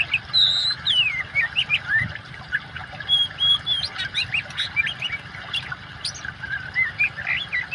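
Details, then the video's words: Oriental magpie-robin, song combined with running water for training mute caged birds: loud varied whistles, clear notes and chattery trills in lively phrases, steady soft water wash underneath. "kacer gacor kombinasi suara air cocok buat terapi burung macet"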